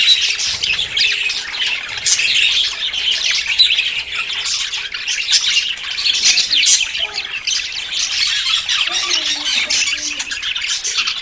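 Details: A group of budgerigars in courtship before breeding chatters nonstop, mixing rasping squawks with rapid high twitters at a steady, busy level.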